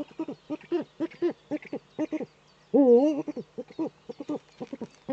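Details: Male Eurasian eagle-owl courting in its nesting niche, nest webcam in northern Rhineland-Palatinate, Germany, 4 May 2013: a rapid series of short low staccato hoots, broken near the middle by one loud, longer, wavering harmonic call.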